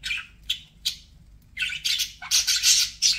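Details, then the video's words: Single sharp budgerigar chirps come about every third of a second, then break into louder, scratchy squawking chatter from pet birds. "BUDGIE SOUNDS"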